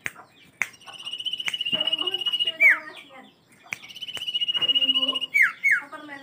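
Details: Common iora (Aegithina tiphia), song.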